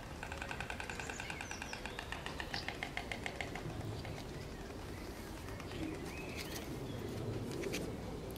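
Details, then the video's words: White storks at the nest start with quick, rattling bill clatter for about three seconds, which then fades. Afterwards come scattered bird chirps, a few whistles and a low background hum. "Bigbroeder klepperdeklep"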